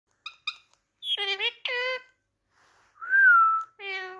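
An Indian ringneck parakeet talks in short, nasal, speech-like bursts, opening with two sharp clicks and adding a clear rising-then-falling whistle before a final phrase.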